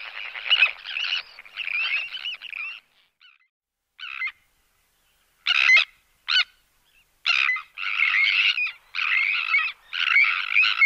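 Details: Sandwich terns giving aerial display calls and alarm calls in a breeding colony: harsh, grating, rasping, loud high-pitched calls in long bursts and short sharp notes with brief pauses.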